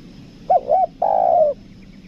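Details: Captive spotted dove used as a lure bird in Lombok, 'kuk dua' style: one soft, low coo phrase of two quick notes and then a long, slightly falling hollow note.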